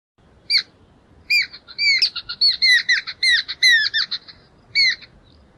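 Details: Jungle Babbler perched atop a bush keeping contact with its small flock feeding on insects and seeds on the ground, acting as sentinel; a series of loud, squeaky two-toned squawks, some run together in rapid bursts.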